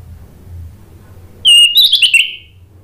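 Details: Orange-headed thrush (Anis Merah) singing as a lure to make silent thrushes answer: after a quiet start with a soft low hum, a sudden loud burst of clear whistles and rapid twittering notes runs for about a second, then trails off.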